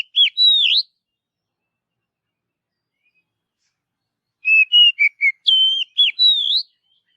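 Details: Forest-dwelling Oriental magpie-robin: the tail of a rising whistle, a long pause, then a full phrase of pure whistles, short descending notes and a high wavering finish.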